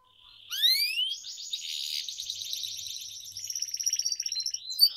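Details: Singing canary, used as a training lure for young canaries. A rising whistled slur leads into a sustained, pulsing high trill that quickens into rapid chirps toward the end.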